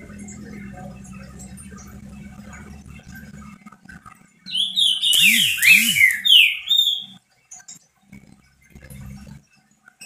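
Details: Pet green-winged saltator singing a lot, its song used to warm up and stimulate other saltators: a loud burst of slurred, rich whistled notes, some falling and some rising, lasting about two seconds after a low steady hum, then quiet.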